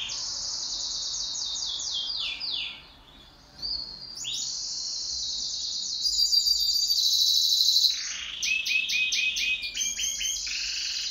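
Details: Pet canary singing in duet: a long, high-pitched, varied song of rapid trills, quick downward sweeps and buzzy rolls, with a brief pause near the middle and denser, louder phrases toward the end.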